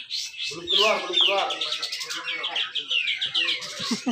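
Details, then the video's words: Grey-cheeked bulbul, caged at a songbird contest in Malinau, North Kalimantan, Indonesia, singing a dense 'besetan rapet' song: rapid falling whistled slurs and chattery notes, with other birds calling and a low murmur beneath. "cucak jenggot besetan rapet"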